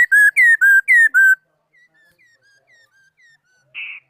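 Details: Laughingthrush song from 2018: five loud, clear whistled notes alternating rising and falling in quick succession, then softer short whistled echoes and a brief buzzy note at the end.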